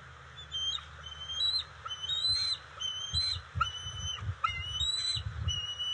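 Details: Bald eagle family at the nest as fish is delivered to the eaglets in June; thin, high, piping whistles and squeaky slurred notes repeat rapidly, with soft low thumps and rustling beneath.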